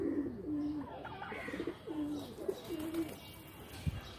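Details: Pigeons in a loft giving low, drawn-out coos and short throaty notes, with a sharp knock near the end.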